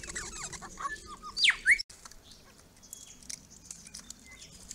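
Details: Grey-crowned Babblers visiting a pond erected for them on a rural property; scratchy chatter leads into two loud sliding squeals, then a quieter background with faint distant notes.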